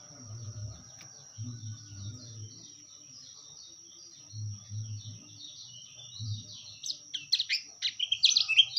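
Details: White-eye (kecial kuning) master song: mostly quiet with low thumping, then the final two seconds bring sharp, choppy bursts of high twittering, over a persistent thin high-pitched tone.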